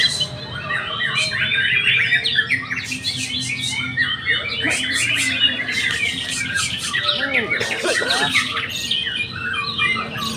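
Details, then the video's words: Caged young white-rumped shama in Indonesia singing a dense, varied stream of high chirps, trills and squawky phrases, with other birds and brief voices overlapping in the background. "murai batu gantangan muda pastol"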